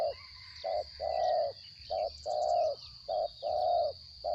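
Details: Caged spotted dove, a captured wild bird, gives soft blocky coos, short and long notes alternating, quieter than usual, with a constant thin high-pitched whine behind.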